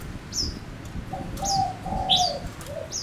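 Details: Male Gouldian finch used as a lure bird, singing: a few thin high downslurred whistles spaced across three seconds over a steady low, drawn-out hooting tone and background rumble.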